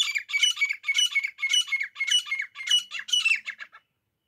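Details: Calling pair of grey francolins, a recording meant for hunters: a fast run of rasping, ringing phrases, about seven in under four seconds, running into each other before stopping abruptly, with no other sounds.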